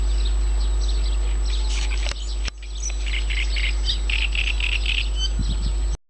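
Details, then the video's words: Birds sing at Yanovka near Novocherkassk on 29 May 2017. Chirps come in quick runs, a few crackling handling noises break in midway, and a steady low rumble runs throughout. "Голоса птиц в Яновке (Новочеркасск)"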